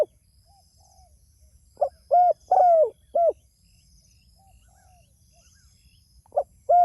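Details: Spotted dove calling to others: a few faint soft notes, then a clear phrase of short note, coo, long falling coo and coo, with a new phrase starting near the end.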